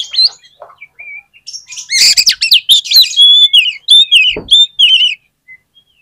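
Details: Oriental magpie-robin singing as a lure for other magpie-robins: a few soft notes lead into a long, energetic phrase of varied whistles, trills and slurred notes, with a brief knock partway through and a thin note at the end.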